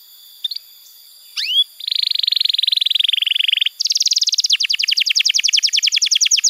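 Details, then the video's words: Canary singing as tutor material for young birds: a few brief chips and an upward whistle, then a long low buzzy trill, followed by a higher, faster rattle of falling notes continuing to the end. "Masteran Kenari PAUD & Pancingan Kenari MACET BUNYI"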